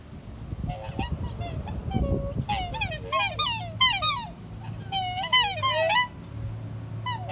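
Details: Black swan calling earnestly toward a person nearby: after soft low rustling, a run of clear, harmonic, wavering honks that bend up and down, given in quick bursts around three and five seconds.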